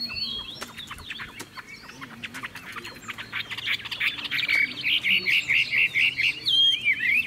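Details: Cage-bird Chinese hwamei: soft scratchy twitters at first, then a loud, steady run of identical repeated whistled notes, about two per second, ending with a few slurred phrases.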